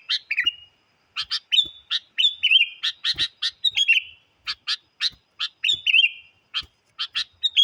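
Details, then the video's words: Sooty-headed bulbul lure song, very vocal, meant to challenge wild birds: bursts of harsh chirps alternating with slurred, falling whistled notes, repeated steadily across the whole stretch with short gaps, no other sounds. "PIKAT KUTILANG SUPER GACOR MENANTANG BURUNG LIAR"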